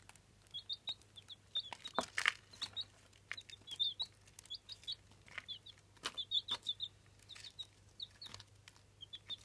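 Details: Eight-day-old Jawa Aseel chicks hatched in an incubator give short high peeps in small clusters, with scattered clicks and knocks and a low steady hum behind.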